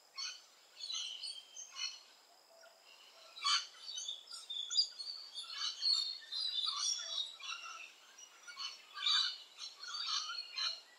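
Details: Rainbow lorikeets at their nesting holes: scratchy, high chattering screeches in clustered bursts, quiet at first, then busier and louder toward the end as several calls overlap.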